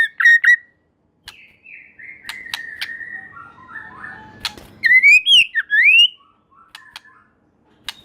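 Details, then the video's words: White-rumped shama song, said to make other shamas join in singing. Loud whistled phrases with long gliding, wavering notes and quick rising-falling sweeps, set between sharp clicks and short pauses. "Murai Batu Gacor Super Mantul Murai Lain Otomatis Ikut Bunyi"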